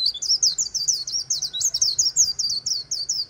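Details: White-eye singing the líu song style beside the Kỳ Cùng River: a fast, unbroken run of high, thin, twittering notes that rise and fall, about five or six per second, over a faint low rumble.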